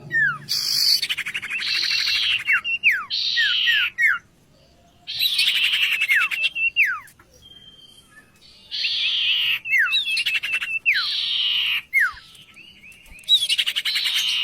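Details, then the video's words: Vocal tutor oriental magpie-robin repeating loud harsh buzzy phrases, each followed by quick descending whistled slurs, with short silences between bouts. "sirtu guru vokal yang mantap"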